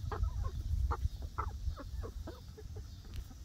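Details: Young egg-laying hens in a newly built outdoor run on their first day there, uttering clear, separate clucks at an uneven pace, about one or two each second, over low background rumble.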